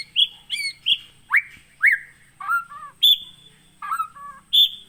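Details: White-rumped shama, a captive Aceh bird of Gunung Leuser origin trapped in 2017 at Aih Ilang, Pining. It sings a loud, varied series of whistled notes, rising slurs and lower double notes, roughly two per second.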